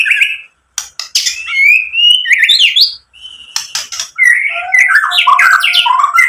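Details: White-rumped shama song played to provoke other shamas: sharp clicks, rising whistled slides, and a fast tumbling run of varied high warbled notes after brief gaps.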